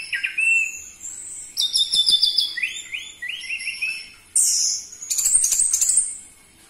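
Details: Orange-headed thrush song used as a lure to make captive birds sing. A short whistle is followed by quickly repeated rolling notes in descending steps, then a strong high slurred whistle and a harsh chattering trill.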